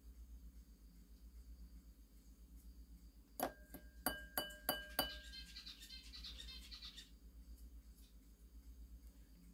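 A zebra finch gives a quick burst of nasal, buzzy chirps right after sharp taps on a bowl.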